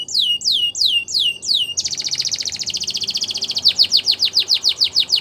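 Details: Belgian canary song for canary training: rising whistled notes repeated about four per second, then a long buzzy rolling trill that breaks into rapid sweeping repeated notes.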